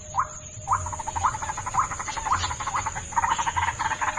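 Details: White-breasted waterhen lure: upswept notes about twice a second merging into a fast, uneven run of croaking pulses. A steady high whine is present throughout.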